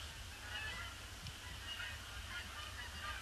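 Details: Flock of Canada geese circling a pond before landing on a gloomy, grey Boxing Day, 26 December 2015; faint, distant overlapping honks scattered throughout, over a steady low rumble of wind or background noise.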